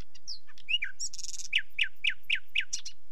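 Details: Varied whistled and slurred notes from a nightingale, a short buzzy burst, then six loud downslurred notes repeated roughly every quarter second, ending on high chips.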